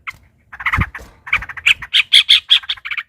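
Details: Yellow-vented bulbul in a fighting exchange, rolling song meant to provoke a rival: a quiet start rising into loud, shrill, rapid chattering notes, over faint low thumps.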